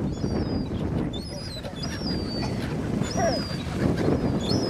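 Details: Gulls being fed at Cramond near Edinburgh, Scotland; drawn-out high squealing calls repeated every second or so, set against steady wind and water rumble.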